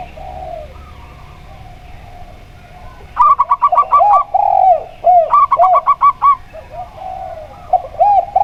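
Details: Local zebra dove (perkutut) with a clear, ringing 'plong' voice, heard against a spotted dove (tekukur kuk 2). Two quick bursts of about six staccato cooing notes, each followed by the other dove's lower, drawn-out coos.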